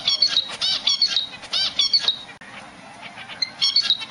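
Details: A zebra finch in its nest gives short, nasal, toy-trumpet calls in quick bursts, calling for its mate.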